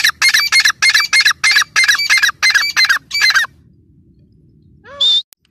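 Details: Harsh, ringing squawks from a female grey francolin (teetar) come about three a second in a steady run for three and a half seconds. A quiet pause follows, then one more short nasal note.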